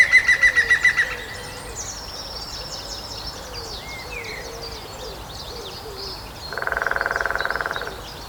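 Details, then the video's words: Lesser spotted woodpecker in Grathem, Netherlands, 23 March 2026, 14:00, hammering a dead tree's trunk. A loud bird's quick repeated notes open. Soft low sliding calls and faint high songs follow before a fast, steady drum roll of over a second. "Lesser Spotted Woodpecker drumming on Wood"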